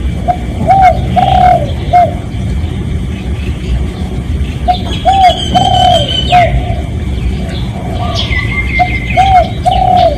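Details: Decoy cooing of a spotted dove, recorded for luring other doves: three rhythmic phrases of short and long rounded coos, soft and mid-pitched, with thin whistles and chirps from other birds and continuous low rumble.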